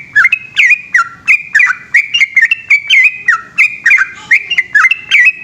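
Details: At night in Indonesia, a trucukan, or yellow-vented bulbul, runs through loud 'ropel' phrasing: clear whistled notes with abrupt attacks and dipping slurs, packed closely together in a steady, chattering stream.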